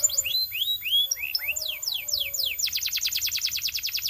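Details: Singing Belgian canary, opening with varied whistled downslurred and upswept notes in loose sequence, then breaking into a rapid, even rolling trill of high repeated notes for the last second and a half.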